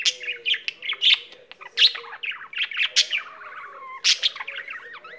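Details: Pet budgie keen to sing, pouring out a busy warble of high chirps and clicks, with a few drawn-out slurred whistles near the end.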